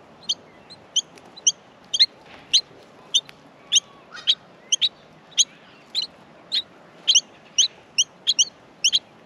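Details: Australian miner babies being fed in the nest give a steady stream of piercing, high chirps, roughly two per second, some paired, with quiet pauses between.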